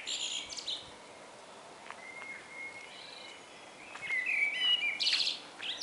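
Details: Morning sounds with common blackbird song: drawn-out, even whistles and brief squeaky, twittering flourishes in a high register, over a faint, steady outdoor hiss.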